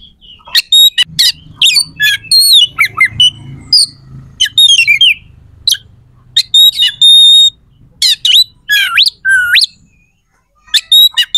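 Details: Rich, varied song of an oriental magpie-robin, used as a provoking sound so rival magpie-robins grow aggressive; dense bursts of sharp high chips, trills and bent whistles, one long upward slur, and short silent breaks.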